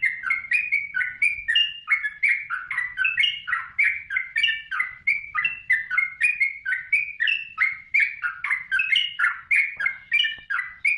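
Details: Lively yellow-vented bulbul song, the local trucukan, sung as a tutor recording for songbirds: a steady stream of bright bubbling chirps, rising and falling, roughly three per second and unbroken for eleven seconds.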